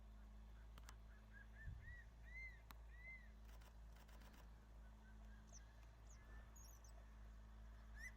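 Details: Crested serpent eagles on Ishigaki Island, Okinawa, call back and forth in breeding season with short, arched whistles, quick then sparser, over a low hum and faint clicks; possibly a female while a male chases an intruder.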